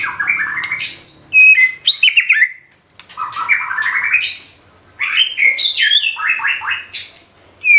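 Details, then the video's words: White-rumped shama singing in full 'nembak' style with 'isian' filler phrases: three long bursts of rising, stepped, rapid whistled notes and sharp chips, each ending in a brief pause. "Murai batu nembak isian gacor"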